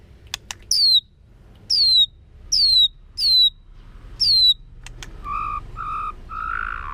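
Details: Repeated high, downward-sliding whistles from a white-rumped shama, five in a row, roughly one per second. These give way to a few lower, steady hooted tones over a faint rumbling background.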